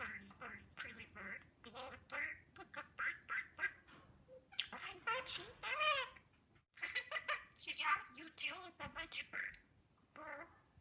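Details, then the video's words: Pet male albino budgerigar chattering imitated words in quick runs of short, raspy, high syllables, repeated in bursts with short silences between phrases. "Talking Budgie Compilation"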